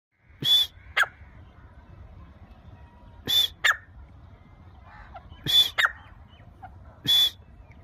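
Grey Francolin giving loud, shrill, ringing notes in short bursts about every two seconds, some doubled, over a low background rumble.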